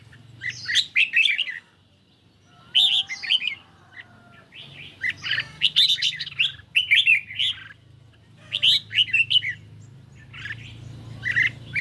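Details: Red-whiskered bulbul in a cage, singing hard against a phone recording on a mildly sunny day: clusters of fast, bubbly, slurred whistles in several phrases, broken by brief pauses, above low-pitched background noise.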